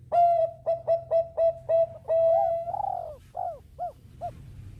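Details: Bangkok zebra dove singing eagerly to prompt nearby birds to join: rapid repeated flat clipped notes, a long steady tone, then three falling arched coos fading out.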